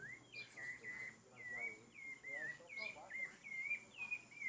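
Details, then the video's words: Rufous-bellied thrush singing a run of clear whistled phrases, each a short slurred note, some rising and some dipping, repeated at a steady unhurried pace with brief gaps, over a faint background hum. "Sabiá laranjeira"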